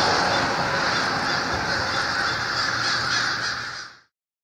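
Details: Over 1500 American and Fish Crows waking in a winter communal overnight roost by the Merrimack River, Lawrence, Massachusetts, before sunrise and dawn dispersal; a dense, continuous wall of overlapping harsh caws, steady throughout, then cutting off abruptly near the end.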